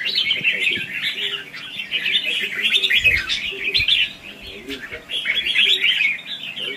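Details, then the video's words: Red-whiskered bulbul competitive 'ché' and 'xòe' style song, used to train and trap bulbuls: dense, rambling warbled chatter in bursts, with faint lower murmuring and thumps beneath. "Chào mào Luyện giọng | Hót Ché - Xòe"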